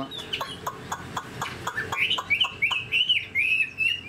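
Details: Caged Chinese hwamei, spread-tailed and described as a good fighter with an eagle-wing display. Sharp repeated clicking taps come first, then the bird breaks into a string of fluid, wavering whistles.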